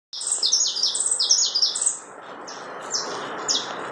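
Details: Saffron finch singing in the chapinha carretilha style: a rapid run of bright, high chirped notes over about two seconds, then a few spaced chirps over steady background hiss.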